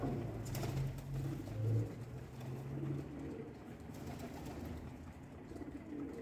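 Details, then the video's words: Pigeons at breakfast feeding time: deep, hollow coos in a run of low rolling notes over the first three seconds, followed by quieter room noise. "Pigeons Breakfast Time"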